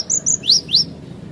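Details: Cinereous tit singing vigorously in a tutor recording for training other birds: four high, thin whistled notes in two quick pairs, sweeping up and down, over a faint low hum.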